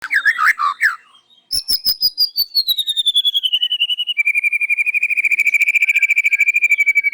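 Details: White-rumped shama singing loudly in the morning and unloading its isian, its learned fill-in phrases: varied whistled notes, then a long rapid trill sliding down from high to mid pitch and flattening into a fast, even, buzzy rattle.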